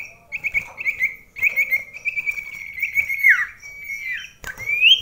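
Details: Common iora competing at very close range with another bird indoors: a long wavering whistled trill, a downward-swooping note, then a sustained whistle and a rising final phrase, with light clicks behind.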